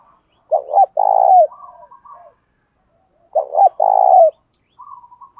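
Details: Spotted dove giving a fight-provoking coo, used to stir wild doves and train decoy birds: two deep phrases, each two short hollow notes then a long rolling coo, with faint higher warbled notes after each.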